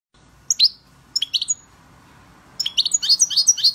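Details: European goldfinch singing: bright, tinkling twittered phrases of quick high chirps and buzzy trills, in short bursts separated by pauses, with a longer, busier run of notes toward the end over faint background hiss.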